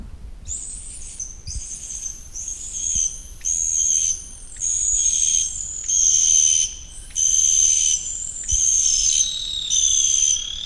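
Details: Sooty owl (Tyto tenebricosa) pair duetting at night in Yarra Ranges forest: long, thin, high whistles, each about a second and some sliding slightly downward, repeated every second or so over a faint low rumble.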